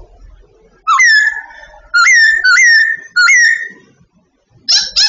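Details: Babbler in training, giving its everyday song: four loud upslurred whistles, each rising quickly and then held briefly, spaced about a second apart and followed by a short harsh chattering burst.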